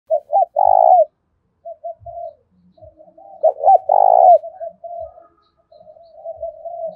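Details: Spotted dove decoy calling in the 'thổ pha' voice style, a fighting call meant to lure and provoke rivals: two clipped coos and a long burry coo, repeated twice, with softer, drawn-out cooing between phrases and faint low thumps.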